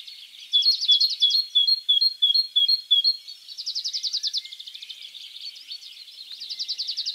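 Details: Great tit singing in the wild, giving song variations: a run of high, clear two-note phrases repeated about three times a second, then fast, buzzy trilled series, with one more trill near the end.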